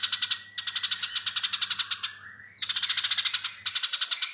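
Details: A Eurasian tree sparrow gives long chattering bursts of fast, dry, high chirps, about ten a second, broken by short pauses, with a faint low electrical hum behind.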